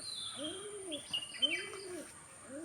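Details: A male domestic pigeon near a female gives soft, low, rolling coos, one swelling phrase about every second, with faint higher chirps and a thin steady hiss behind.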